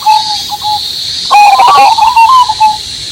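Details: Zebra dove of the Cemani Majapahit kind singing with a constant shrill cicada hum behind: soft short coos at first, then a louder rolling phrase of rapid coos ending in a long, gently wavering note.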